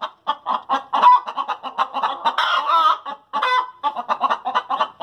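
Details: Chickens calling after laying eggs: rapid clucking pulses interrupted by a long, strained cackle in the middle, then more clipped clucks.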